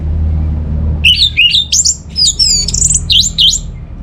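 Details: Orange-headed thrush singing as a lure to prompt quiet home birds into song: after a second of low hum, a varied run of loud whistled phrases, slurred notes and rapid trills rising and falling over steady background rumble.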